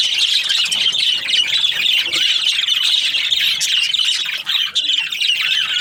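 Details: Aviary of breeding budgerigar pairs giving a steady wall of overlapping high-pitched chirps, warbles and short squawks, constant and loud throughout with no other sounds.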